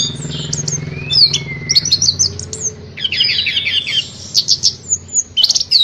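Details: An orange-headed thrush singing while spreading its tail gives a rich, varied run of high whistles, slurred sweeps and quick chattering phrases with only short pauses, over a faint low hum.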